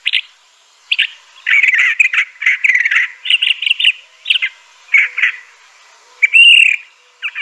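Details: Crissal thrasher (Toxostoma crissale), a southwestern United States and Mexican bird, pours out varied warbling phrases, some rapid and scratchy, ending with a clearer slurred whistle.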